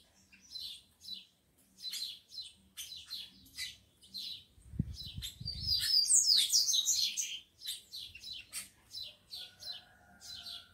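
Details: Captive rufous-collared sparrows, combative males kept with females, repeating crisp high chips, a loud tumbling high phrase midway over a brief low rumble, then more chips and a faint steady tone.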